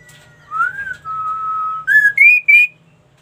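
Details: Ashy tailorbird singing actively: a rising whistle, a long steady level note, then three short, bright notes each pitched higher than the last.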